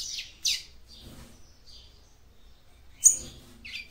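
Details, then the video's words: Female capped seedeater giving song to stimulate the male: two buzzy high notes, faint whistles, then a sharp loud chip and a final rising note. "CANTO DE FÊMEA PAPA CAPIM PARA ESQUENTAR SEU MACHO"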